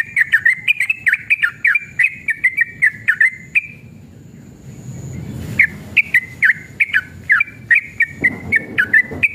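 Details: Sooty-headed bulbul male in energetic, combative song, long rapid phrasing, used to make other bulbuls answer. A quick run of short, bouncy whistled notes stops for about a second of quiet, then resumes just as fast.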